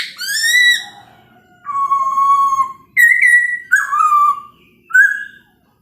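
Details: Chinese hwamei giving a morning song to rouse other birds: long drawn-out whistles, one steady and lower, others sharply rising or falling, each loud note set apart by a brief silence.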